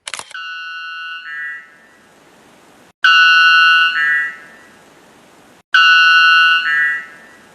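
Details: White bellbird (Procnias albus) of South American mountain forests, whose call is the loudest recorded in birds: three deafening, metallic two-part blasts about three seconds apart, each a harsh ringing note stepping down in pitch, with faint forest hiss between.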